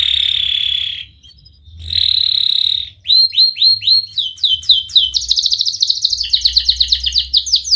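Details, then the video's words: Canary singing as a lure for young canaries learning to sing: a long steady trill, a pause, another trill, then fast sharp repeated down-slurred notes and dense rapid chirping phrases, all high-pitched and loud. "Kenari Gacor speed Rapat WIT Wit Tajam Cuit cuit ngeroL, pancingan kenari PAUD BELAJAR BUNYI"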